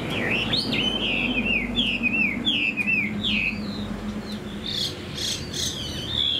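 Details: Chinese hwamei kept in a cage, tail fanned and plumage fresh, singing with tail flicks: a series of downward-slurred whistles repeated about twice a second, then softer scattered notes.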